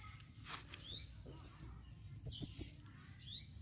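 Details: Calling female blue-crowned hanging parrot: two neat triplets of sharp, very high pure chips about a second apart, with faint thin whistles between.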